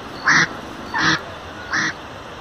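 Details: Indian spot-billed duck at Lalbagh Lake, Bangalore, giving three loud, nasal quacks spaced roughly three-quarters of a second apart over a steady background hiss.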